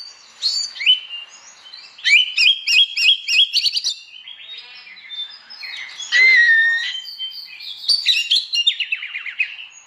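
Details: Oriental magpie-robin singing loudly in the morning, a clear open style called ngeplong, to goad other magpie-robins into singing; varied bright phrases, a fast run of repeated chirping notes, then a slurred whistle and scratchy trills.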